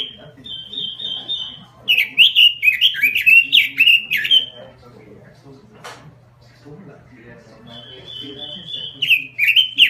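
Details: Robin lure song in full, lively form: a steady high whistle, then a fast run of warbled, sliding whistled notes, a quiet gap, and the steady whistle returning, over a faint low hum.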